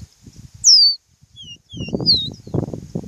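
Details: Songbird from Brazil's Nordeste region giving a few high, thin whistles that slur downward, plus several shorter faint notes in between. Low rumbling and handling noise runs underneath.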